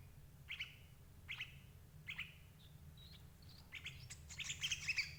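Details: Sooty-headed bulbul, recording for trapping parent birds: three spaced, husky chirps about once a second, then soft thin whistles, ending in a louder jumble of rapid chirping notes; low hum throughout.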